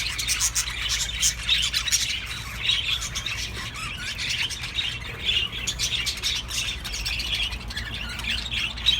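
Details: Mating chatter of budgerigars used to encourage breeding: a busy, unbroken mix of rapid warbles, clicks and squeaky chirps from several birds, rising and falling in bursts throughout, with a faint low hum in the background.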